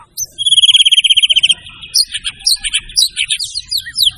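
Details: White-rumped shama song opening with a fast, even trill of about twenty repeated notes, then a jumble of varied whistled and chattering phrases.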